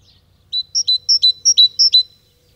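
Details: Great tit song, in spring: bright, metallic two-note 'tee-chu' phrases, high then lower, repeated four times in quick succession with each note cleanly separated; a common garden bird that starts singing as early as December.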